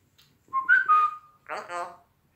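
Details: A talking pet common hill myna, outside the house, gives a clear whistle that slides up and holds level, then a brief, harsh, voice-like syllable imitating human speech; no other sounds.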